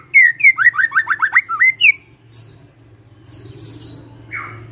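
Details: Murai (magpie-robin) gives a rapid trill of about eight down-slurred whistles, then thin high notes and a softer buzzy note over a faint low hum.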